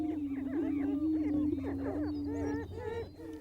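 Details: On a Missouri prairie booming ground, where hens choose a mate, several male prairie chickens boom: a low, steady hooting drone overlaid with excited cackles and whoops.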